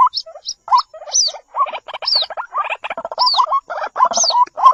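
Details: Jal murgi, the white-breasted waterhen, as a chick: stuttering gurgled phrases with rising tails, mixed with sharp high downslurred squeaks, in bursts with brief gaps.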